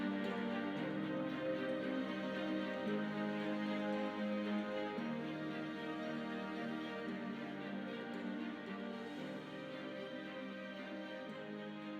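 Soft, sustained instrumental music with gentle held tones plays throughout, with no animal sounds heard.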